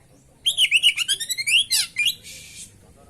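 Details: Oriental magpie-robin singing as a training lure for caged birds: a rapid run of about ten clear whistled notes, rising slightly, then a sharp rasping buzz and a fading hiss.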